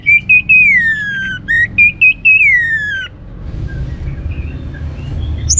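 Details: Orange-headed thrush song meant to stir other birds into singing: two loud, clear whistled phrases, each wavering then sliding downward, separated by short breaks, followed by faint distant chirps over a low hum.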